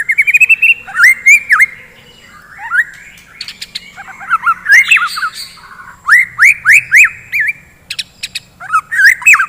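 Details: Morning song of a white-rumped shama, used to stir up fighting birds: loud bursts of rising whistled notes and sharp upward-flicked phrases, broken by short quiet gaps, with varied rich whistles throughout.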